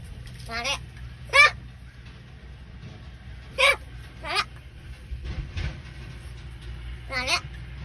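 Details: Talking crow mimicking Marathi words: raspy, harmonic calls with downward-bending tones, given in separate bursts a second or more apart, over a steady low hum.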